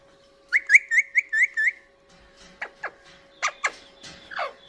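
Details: Indian ringneck parakeet, a talking pet parrot, eating green chili: a quick run of six bright, rising whistled notes, then a pause and several sharp, harsh downward squawks spaced unevenly.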